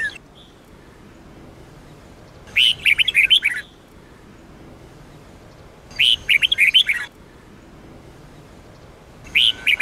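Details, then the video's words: Red-whiskered bulbul singing Sông Kôn style song for training bulbuls: three fast, jumbled phrases of ringing whistles, each about a second long, repeated roughly every three and a half seconds over a steady faint hiss. "chào mào SÔNG KÔN hót cực hay"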